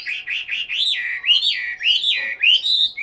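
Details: Caged Chinese hwamei kept in Hanoi, Vietnam, singing a continuous run of loud, slurred whistles that swoop up and down, each phrase repeating roughly twice a second with a rich, fluty tone.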